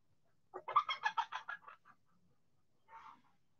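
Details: Backyard chicken in the sun cackles: a rapid run of about eight harsh, stuttering notes fading away in under two seconds, followed by one softer note after a pause.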